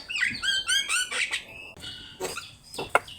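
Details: Chattering Javan myna (jalak kebo) song, used as a master for training birds: several clear, ringing whistled notes with rich overtones, then harsh, scratchy squawks that fade and return as sharp clicks.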